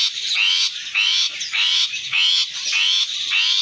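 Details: A tame, lively Asian pied starling gives harsh, rasping, high-pitched notes about twice a second, each with a thin rising whistle woven through the grating sound.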